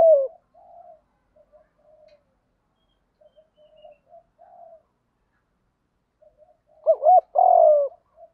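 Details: Field-voice fighting coo of a spotted dove, meant to provoke and lure wild doves. Faint low murmuring coos fill most of the stretch before a loud wavering double note and a long steady coo burst out near the end.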